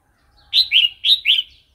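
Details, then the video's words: Red-whiskered bulbul singing in wild style, played to train chicks and newly caught wild birds: four clear, swinging whistled notes in two pairs, each note dipping downward, loud and close. "เสียงนกกรงหัวจุก เพลงป่า"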